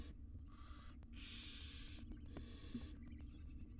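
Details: In an Israeli research nest box, a wild barn owl mother grooms her small chicks; a loud rasping hiss is flanked by softer wheezy hisses and a brief chittering trill near the end.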